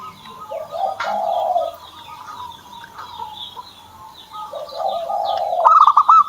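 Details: Zebra dove kept by its owner, starting to sing: low, smooth cooing notes in two spells, then a quick staccato run of higher rolling notes at the end; faint distant chirping behind.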